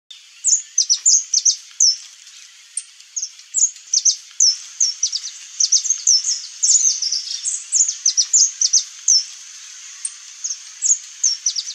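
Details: Saffron finch singing; bright, high, sharp chipping notes delivered in quick irregular bursts and short phrases, some notes doubled, steady throughout with little background noise.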